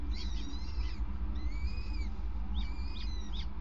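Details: Evening prey handover by a male peregrine falcon on the nest grating, 5 May 2019. Long, thin, whistled wailing calls, some rising then falling, alternate with short sharp notes above a continuous deep hum.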